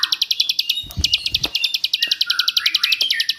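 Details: Bar-winged prinia, shrill 'jerih' master song with 'ngebrend' bursts for training songbirds: a rapid high ticking series, broken near the first second by a short low thump, then continuing over faint lower warbled notes.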